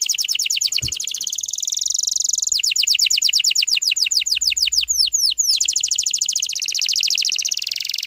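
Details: Song of a canary, played to get young canaries singing quickly: sustained high rolling trills, then a run of clear descending sweeps repeated rapidly, ending in another dense buzzy trill; a brief knock early on.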